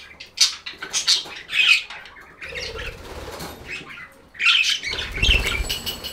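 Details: Budgies squawking and chirping in quick clustered bursts, interrupted by low rustling that sounds like wing flapping or movement.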